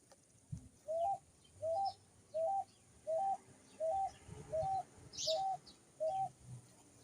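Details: A picui ground dove sings eight evenly spaced, soft cooing notes with a slight upward inflection, roughly one every 0.7 seconds. One high, sharp chirp from another bird cuts in near the end.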